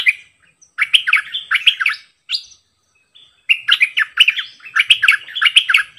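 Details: Decoy sooty-headed bulbul delivering varied songs: clusters of mellow, chattering whistles and a short rising note, then a pause and a second busy run of warbling phrases.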